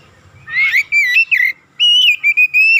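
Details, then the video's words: Oriental magpie-robin singing a lure recording meant to excite and rouse a bird quickly: clear whistled phrases, some rising and warbled, others flat and sustained, in two bursts with a short pause between. "KACER GACOR"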